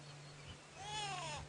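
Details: A grey go-away bird perched in a tree beside a waterhole on a hot late-afternoon safari drive on 22 October 2016 at Djuma Game Reserve gives one drawn-out, nasal, bleating call that rises and falls, over a low engine hum.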